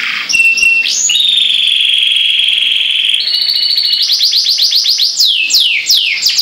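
Canary song: a long, steady high whistled trill, then a run of rapid rolling notes and loud down-slurred whistles, all bright and continuous.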